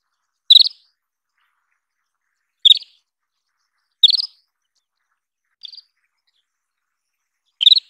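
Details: Isabelline wheatear giving short chattering calls: five quick pulsed bursts at uneven intervals of about one to two seconds, the fourth fainter and clipped; high-pitched, with no other sounds.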